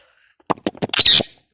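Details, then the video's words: Indian ringneck parakeet, a talking bird, gives four short rasping syllables followed by a long, harsh, high screech that fades out. "Talking parrot natural sound / Voice || Indian ringneck parrot sound"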